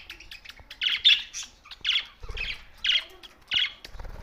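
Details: Budgerigars in Larkana, Sindh, give short, harsh chirping squawks, about six loud bursts, each roughly half a second apart, separated by brief quiet gaps and soft low thumps.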